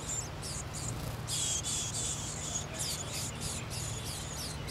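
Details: Older wild Japanese white-eye nestlings beg as an adult arrives to feed them: very high, thin squeaky calls in quick overlapping bursts, over a steady low hum.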